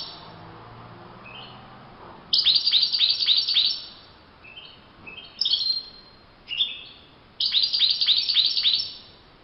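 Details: Goldfinch singing free in nature: after a quiet start with a faint low hum, two quick series of bright repeated notes, with shorter twittering phrases between them.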